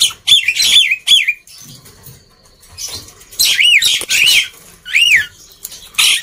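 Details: Black-winged myna in full loud song, played to coax reluctant birds to sing: arched whistled notes with harsh overtones, given in pairs, separated by quiet gaps and rasping bursts.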